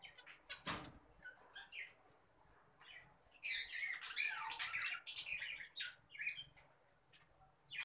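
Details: Adult green Fischer's lovebird, a caged pet bird, starting with soft scattered chirps, then breaking into a burst of loud, shrill squawking chatter in the middle before tapering off, with one knock near the start.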